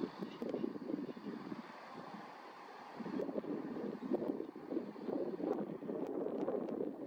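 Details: Steady wind buffeting and a low engine-like rumble, with no animal voice standing out.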